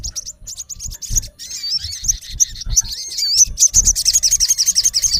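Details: A male olive-backed sunbird calls to a rival with high twittering and wavering slurred whistles, ending in a quick, regular run of sharp chirps.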